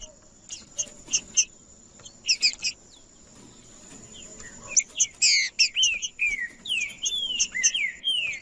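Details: Male green-winged saltator in macheando song meant to heat up rival males: sparse sharp chips at first, then a fast, loud sequence of chips and looping slurred whistled notes, with a steady high whine.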